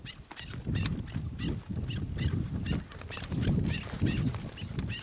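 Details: Chukar partridge calling in a steady series of short, arched clucking notes, about two or three a second, over a heavy low rumble of wind or handling noise.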